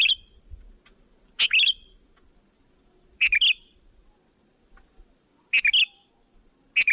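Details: Sooty-headed bulbul lure call attracting other bulbuls: four bursts about two seconds apart, each a scratchy onset and quick whistled notes slurring down, with a quiet background and a faint thump.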